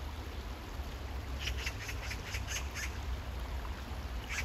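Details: Quick chattering series of about eight harsh rasping notes from an Oriental magpie near water on a hot day, with a lone call at the end and low rumbling noise throughout.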